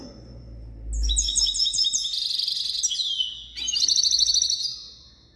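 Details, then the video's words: Lively European goldfinch song: quick repeated chirps, then sliding whistles and a tinkling twittered phrase after a short pause, over a faint low hum. "تغريد حسون"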